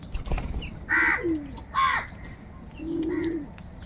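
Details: Angry crow during a fight over food: two hoarse, nasal caws about a second apart, then a softer, lower drawn-out call, over a noisy outdoor background.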